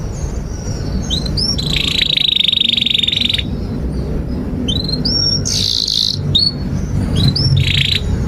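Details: Canary song in the long 'gacor panjang' style, with 'cuit cuit' chirps, used to tutor young canaries: upslurred whistled chirps, a sustained buzzy trill lasting nearly two seconds, then more rising chirps over steady low background rumble.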